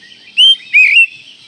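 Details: Kacer, the Oriental magpie-robin, whistling masteran tutor song: two clear high notes, the first a short level whistle and the second a longer wavering slur, separated by a brief pause over a quiet hiss.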